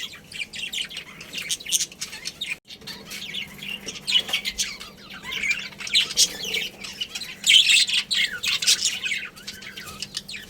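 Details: Colony of pet budgies, breeding pair and family, chattering continuously with soft scratchy warbles building to louder squawky chirps toward the end.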